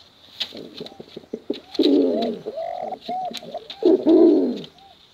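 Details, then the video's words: Contest pigeons, male and female, answer with low, trembling coos that build in bursts roughly twice a second apart, mixed with short curved notes, irregular clicks and a constant faint high hiss. "Suara Bekuran Burung Merpati Lomba Hutan Dara Durasi Panjang"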